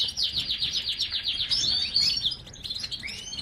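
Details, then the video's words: A goldfinch chirps and sings, opening with a quick run of about a dozen high, sliding chips, then breaking into a bright, jumbled twitter with a few trailing notes. "GOLDFINCH Chirping Sounds"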